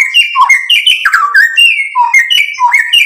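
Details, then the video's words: Lively white-rumped shama song, loud and continuous, played to provoke a response: rich whistled notes jumping up and down in quick succession, mixed with short sharp clicks, with no gaps. "MURAI BATU GACOR MEMANCING EMOSI JADI NYAUT BUNYI BONGKAR MATERI ISIAN"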